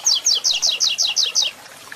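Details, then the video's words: Double-collared seedeater in the 'Tui Tui Zel Zel Zel' third-note tutor style: around eight loud, high doubled notes in rapid, even succession, each dropping in pitch, ending abruptly. "Papa capim Tui Tui Zel Zel Zel 3ª Nota"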